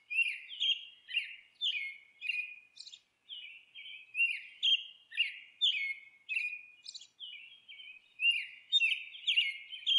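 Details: Nesting monk parakeet chattering steadily: harsh, scratchy downward squawks repeated about twice a second for ten seconds, with a brief lull near the three-second mark.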